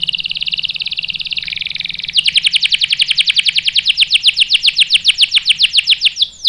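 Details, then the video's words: Rolling canary song as bait to set off a male: a buzzy high trill that shifts into a long, loud series of rapid, sharp chopped notes, ending with a rising whistle. "PANCINGAN KENARI GACOR bikin EMOSI jadi NYAUT GACOR NGEROL | CANARY SINGING"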